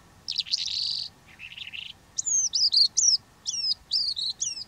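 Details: Singing Calandra lark in Greece: a harsh buzzy burst, a lower rattling trill, then crisp repeated whistled notes sliding down and up in quick succession.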